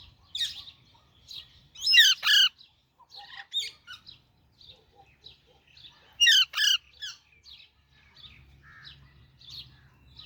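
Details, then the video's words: Baby Alexandrine parakeet calling in two bursts of rough, loud double squawks about four seconds apart, with quieter high chirps between them and a faint low hum. "Super Cute Baby Alexandrine Parrot Natural Sounds | Baby Parrot Chirping Sounds"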